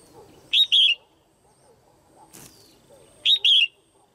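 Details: Caged female red-whiskered bulbul giving a call meant to stimulate males or for pairing: two loud, fluty double chirps about three seconds apart, with a brief rustling noise and a faint falling whistle between them.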